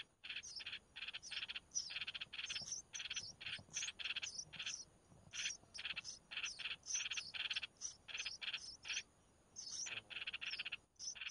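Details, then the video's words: Red-whiskered bulbul chicks being fed by their mother: rapid runs of harsh, buzzy rasping bursts, pulsed in quick clusters, with short thin high chips scattered over them and brief pauses near the end. "Chim chào mào mẹ mồi cho con"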